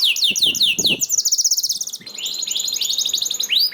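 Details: Canary singing to coax other canaries into song: fast looping down-slurred notes, then a dense buzzy high trill and rolling repeated syllables, with faint low knocking beneath.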